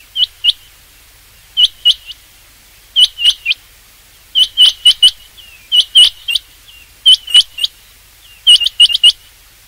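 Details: Rain quail call, used as a hunting lure: sharp, high metallic notes in quick bursts of two to five, the groups coming every second or so against a quiet background.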